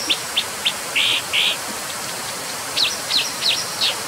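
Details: Brown dipper giving sharp high chirps, three short clicks then two longer buzzy notes, later a run of four quick zigzag calls, over a steady rushing background hiss.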